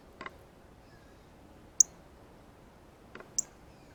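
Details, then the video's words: At a feeder, a male Northern Cardinal eats seeds from a ripe banana and keeps up its feeding chirp: two bright, piercing chips well spaced, with soft lower taps just before each. "Cardinal 🐦Meets Banana - Feeding Chirp Sounds"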